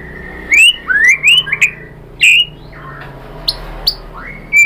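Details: White-rumped shama lure: a few rising whistled notes and clicks, a held steady whistle, then faint scattered notes and a last rising whistle over light background hiss.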